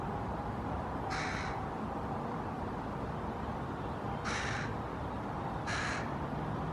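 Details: Hooded Crow fledgling perching in a maple in Helsinki, Finland, June 2018, with another fledgling calling in the background; three short rasping caws at irregular intervals over a steady low rumble of background noise.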